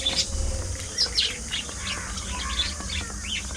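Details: Budgerigars calling in a thriving colony, a busy mix of quick rising and falling chirps and warbled notes from many birds, with steady hiss behind.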